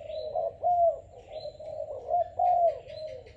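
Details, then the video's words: Young Malaysian-type spotted dove, selected and kept about five days, cooing strongly in low paired notes with a drawn-out final coo; thin high chirps from other small birds sound in the background. "Cu gáy Malaysia/chim tơ tuyển chọn"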